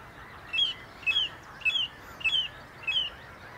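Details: Song thrush singing atop a tree by the Inn River, repeating one short two-part whistled phrase five times, roughly every half second, in a steady even rhythm over a soft hissing background.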